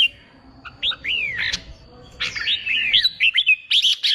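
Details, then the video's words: Red-whiskered bulbul, a novice wild-caught bird trained for singing contests, sings rising and falling whistled notes. They quicken into short bright chirps toward the end over faint background hiss. "Kích bổi nghe là hót, luyện chim hót đấu, luyện chào mào bổi sổ giọng"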